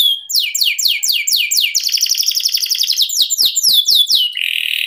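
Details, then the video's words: Canary song for training contest songbirds: quick descending whistled notes repeated about four per second, shifting into a rich rolling trill, then sharp clicking notes and a sustained buzzy tone. "NGEROL SEJALUR DURASI PANJANG..!"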